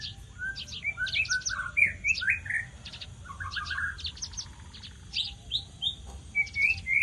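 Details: Javan bush lark singing vigorously: a fast, varied run of short chirps, trills and sharp downslurred notes jumping between high and middle pitches, with bursts of buzzy twittering and faint low background hum.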